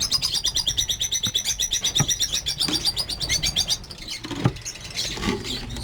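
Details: Over fifty captive lovebirds at a breeding farm chatter together in a dense, continuous wash of high, shrill chirps. A few dull knocks and thumps come from the aviary.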